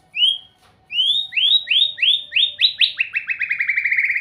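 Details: Song of a white-rumped shama: a series of bright rising whistled notes, coming faster and faster, ending in a rapid run of short upslurred notes.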